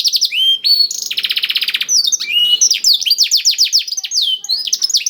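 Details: Domestic canary singing a blackthroat-style song meant to prompt other canaries to sing: bright slurred whistles, a buzzy rapid trill, then rapid high descending chips and a falling whistle.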